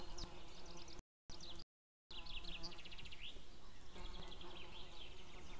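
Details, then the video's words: Outdoor recording from 2 May 2016 of a white-tailed eagle pair, female and distant male: quiet, rapid runs of high yelping notes against a steady hum, with two brief silent gaps. "merikotkas FemaleCallsFarMaleOutBothCallOutside"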